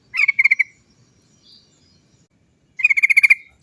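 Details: Lure recording of a lively sooty-headed bulbul rolling its 'cok cok cok' song: two quick bursts of rapid, evenly spaced bright notes separated by about two seconds of near silence.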